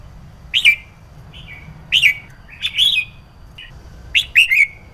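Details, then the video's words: Red-whiskered bulbul female, kept for stimulating male song, calling in repeated pairs of sharp upswept chirps roughly every second and a half, some notes doubled or tripled, over a low steady hum. "Chào Mào Mái Kích Trống Không Quýt Qiu \Kích Là Hót\Kích Chim Nhà Bạn Luôn Căng Lửa , Chào Mào"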